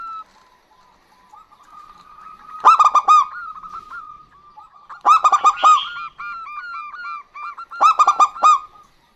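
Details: Female and male local zebra doves call back and forth. Loud clusters of quick staccato cooing notes come roughly every two to three seconds, separated by quieter runs of evenly repeated short notes.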